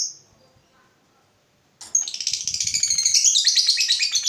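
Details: Lovebird ngekek trill, meant to encourage other lovebirds to sing: a faint note, near silence, then a sudden dense, fast, shrill chatter that builds and keeps going, with soft low knocking beneath.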